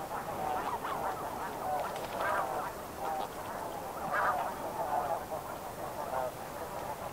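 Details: Snow geese in flight, with close-up flight calls over a medium-distance flock and an eastern meadowlark calling in the background: nasal, barking honks in a continuous overlapping chorus, with nearer calls standing out against a steady murmur.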